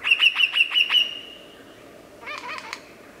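A lyrebird gives five quick, bright chirps in a row, ending in a drawn-out tone, then a short burst of harsh, scratchy notes. A faint background hiss runs underneath.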